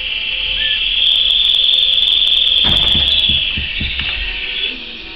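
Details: Canary singing a loud, sustained high trill that rolls steadily for several seconds, with faint clicks and low knocks beneath it before the trill fades out.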